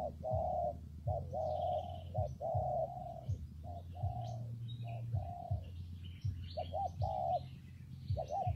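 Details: In rainy, windy weather a spotted dove coos repeatedly, short clipped notes leading into longer soft coos in a steady run, while faint high chirps of other birds sound in the background over a low droning hum.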